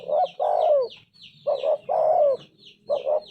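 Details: Two phrases of spotted dove song, each a quick pair of coos and a drawn-out falling note, with a third phrase starting. Small birds chirp faintly above.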